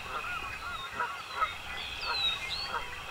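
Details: American coots at a marsh where newly hatched chicks sit on a cattail nest: short nasal honking notes repeated at uneven intervals, among higher whistled sweeps and trills from other marsh birds.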